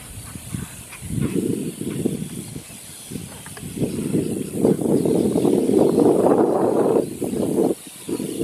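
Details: Cattle egrets at a nest with chicks at Starr Pond, Pinckney Island National Wildlife Refuge, with parents protecting them: low, harsh, croaking and rasping calls in rapid overlapping bursts over a steady hiss.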